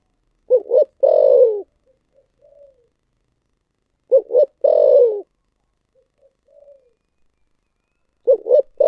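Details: A spotted dove repeats its thổ sấm style song: a double hoot followed by a long low descending coo, then faint soft notes. Phrases recur about every three and a half seconds with silence between.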